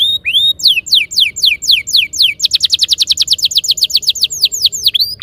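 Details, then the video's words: Canary masteran song, played as a lure to make canaries start singing and rolling: a short high note, then slower descending whistled sweeps that break into a fast, even roll of repeated sliding notes to the end. "Suara mastetan burung kenari _ PANCINGAN AMPUH KENARI BIKIN CEPAT BUNYI NGEROL GACOR"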